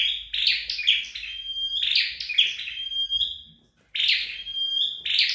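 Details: Home-trained red-headed flowerpecker: buzzy, crackling high phrases ending in flat whistles, a brief silent pause, then the phrases start again.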